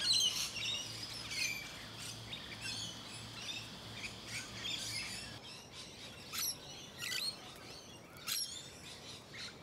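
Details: Musk lorikeets up close in leafy suburban Hunters Hill, Sydney, Australia, late November to early December 2020: a run of shrill, buzzy screeches, dense at first, then sparser sharp bursts after a short pause.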